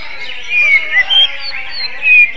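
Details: Greater green leafbird singing in a style likened to the magpie-robin: a few clear, slightly wavering whistled notes with short pauses between them, set over a dense, steady band of high chattering from other birds.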